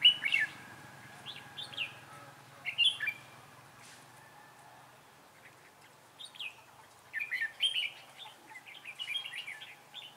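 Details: Red-whiskered bulbul serving as a trainee decoy to lure wild birds into a trap, 11 December 2016: scattered sharp chirpy phrases early, then a quieter stretch and a longer run of quick warbles.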